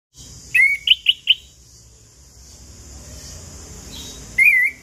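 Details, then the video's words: Chestnut-capped thrush singing, used as a lure to prompt silent birds into song, morning to evening: four short, bright, slurred whistles in quick succession, a pause, then a wavering warbled whistle, over a steady high hiss. "Anis Kembang Ngeplong Pagi Siang Sore - PAncingan Burung Anis Kembang Macet Bunyi"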